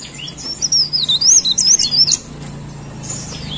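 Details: Leaf warbler (cikrak daun) singing: a short, bright phrase of sharply undulating high whistles lasting about a second and a half, followed by near silence with faint distant notes.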